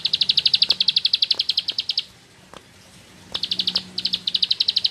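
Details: Bar-winged prinia (ciblek sawah) singing in the ngebren style with nembak bursts: fast, high, evenly pulsed chip trills in runs of about two seconds, broken by a short pause, then resuming in shorter bursts.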